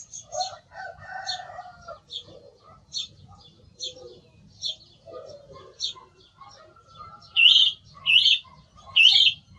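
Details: Song thrush repeating a loud, high, squeaky phrase three times at even intervals near the end, after a run of softer, lower warbled notes and thin ticking sounds.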